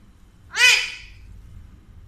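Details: A talkative male Alexandrine parakeet, which speaks Urdu and Hindi, gives one loud, harsh, raspy utterance about half a second long, bright and rich in overtones; faint low room hum.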